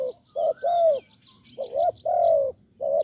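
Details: Spotted dove, a deep-voiced wild bird lured with a decoy on a branch, giving low hooting coos: short notes and longer slightly falling ones in uneven groups, with a faint high hiss behind.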